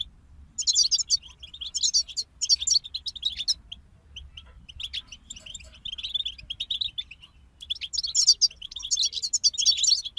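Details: A group of goldfinches bursts into loud jingling twitters, falls quieter to looser chirped phrases in the middle, then rises again into a rich, rapid twittering finish.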